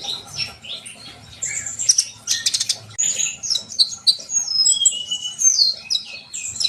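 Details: Sunbird in full, lively song, used to spur young trainee birds into singing: rapid high twittering of sharp chips, short whistles and buzzy trills, dense and continuous, with a faint low hum underneath.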